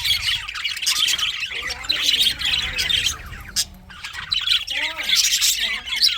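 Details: Pet English budgies chattering: a busy stream of high chirps, squawks and warbles, with a short drop at three and a half seconds and a few clearer rising whistled notes near five seconds.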